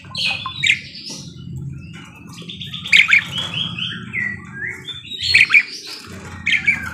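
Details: Parakeet song of chirps, rapid stepped whistles and clicking bursts in groups a couple of seconds apart, over faint low hum.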